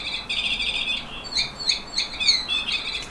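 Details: Yellow canary whistler aged fifteen delivers a fast rolling trill that breaks into sweeping chirps and quick repeated notes, high and bright against faint hiss.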